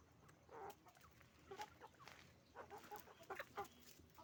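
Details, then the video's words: Chickens on a farm, roosters and hens together: scattered soft clucks and brief grunting notes in loose clusters, fairly quiet against steady farmyard background noise. "the sound of a chicken farm, roosters and hens making noise"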